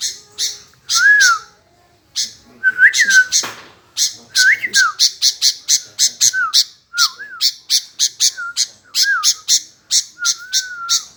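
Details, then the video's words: Sooty-headed bulbul keeps answering without pause: a steady series of harsh chattering notes, quickening midway, with short bent whistles slipped in every second or so and a brief clatter near the start. "Tak Mau Diam Nyaut Terus Burung Kutilang"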